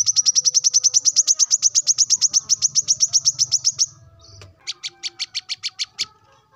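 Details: A male plain-throated sunbird in the morning calls rivals with a long, rapid trill of about thirty sharp high notes, a brief break, then a shorter run of similar chips over a low background hum.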